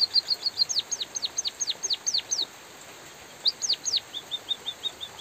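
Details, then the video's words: White-headed munia song for training: quick soft chirps leading into loud, falling whistled notes at an even pace, a pause of about a second, then more drooping notes and fading short chirps. "suara burung emprit pipit bondol kaji gacor jeda natural dan suara hujan"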